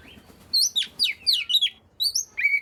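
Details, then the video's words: Short burst of Oriental magpie-robin song meant to prompt other magpie-robins: several steeply falling high whistles in quick succession, a short pause, then two upward-sweeping notes. "burung Kacer yang males bunyi pasti ikut gacor 100%"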